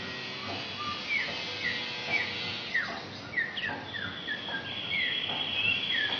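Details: Asian pied starling from Indonesia singing a song filled with imitations of magpie-robin and canary: a run of clear whistled notes, short slurs rising and falling at a mid-high pitch, with a steady hiss behind.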